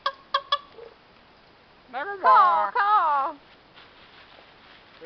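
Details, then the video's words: A raven at a wildlife sanctuary makes funny croaks: three quick, clipped knocks, then two long, throaty, warbling croaks with a voice-like bend, over a faint background hiss. "Funny Raven Noises"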